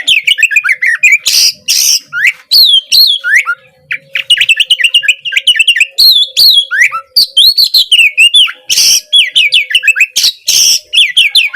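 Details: Long stretch of lively kacer song, an Oriental magpie-robin recording used to get a silent bird singing; dense stream of varied whistles, trills and mimicking chatter, punctuated by several loud harsh screechy notes.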